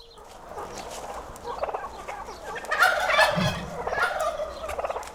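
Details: Overlapping gobbling from turkeys, a continuous rolling, throaty chatter that swells in the middle and keeps pulsing to the end.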